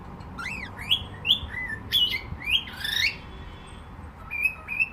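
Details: Cockatiel warbling a lively run of upward-swooping whistles and slurred notes, then pausing before two brief level whistles, with a low background hum.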